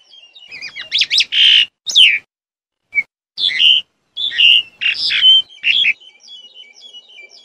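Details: Black-collared starling calling in bursts of harsh, squawky, whistled notes, some rising and falling, separated by brief silences, with fading soft notes at the end.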